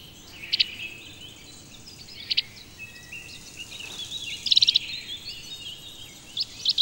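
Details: Meadow pipit in the Rhön giving thin, high, squeaky notes in short clusters about every two seconds, over a faint background of other high twittering.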